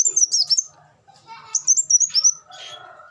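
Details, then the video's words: Song of a black sunbird for tutoring caged birds: a quick high twitter, a lull with faint lower notes, then another shrill sliding phrase followed by a soft lower rasp. "suara burung kolibri wulung"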